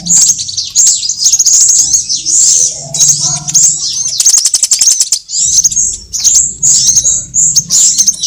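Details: Sunbird sounds from a trapping lure mix of all sunbird types: dense, high-pitched twittering with a burst of fast dry ticking near the middle, then more chirps over a soft low hum.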